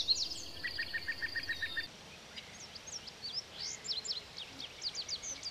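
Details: Orchard Oriole, the smallest North American oriole; quick varied song of short whistled and slurred notes, first a soft rapid series, then sharp rising and falling notes after a pause, over faint background hiss.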